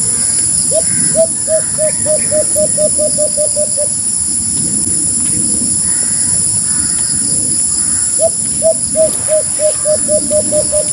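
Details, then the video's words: Two series from a white-eared brown dove, each about a dozen rapid, hooked mid-pitched notes, separated by several seconds of noisy background with faint other sounds and a constant high hiss. "white-eard brown-dove sound effect"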